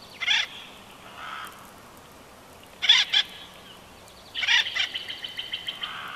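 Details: Female bald eagle at Big Bear Valley's nest, nest-cam recording from 12 June 2021, with harsh short bursts and then a fast, descending string of high, squeaky chortle notes.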